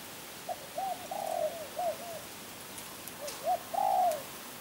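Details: Spotted dove coo phrases: short hollow notes building to a long rough rolled coo and a falling close, then a second louder rolled coo, with background hiss and faint clicks.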